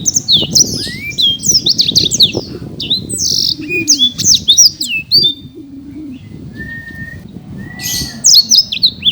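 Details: Champion Black-throated canary kept in Bekasi, Indonesia, singing hard: a busy run of high slurred chirps, then quieter spaced rising whistles and a final burst of high notes, with low background noise.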